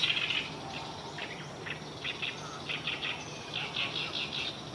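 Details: Oriental reed warbler singing on the morning of 9 June 2023, between about 09:28 and 09:37: harsh, grating chattered notes in uneven bursts, repeated over a steady faint background hiss, with no music added.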